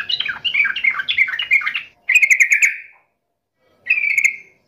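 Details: Yellow-vented bulbul in vigorous gacor song, taunting a rival: a bubbly run of quick warbled notes, then two shorter bursts of rapid chattering notes separated by pauses.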